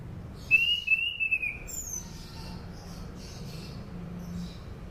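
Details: Song of an orange-banded thrush, used as a lure for other kept thrushes: one bright whistled phrase of wavering high notes early on, then faint soft chatter over a steady low hum.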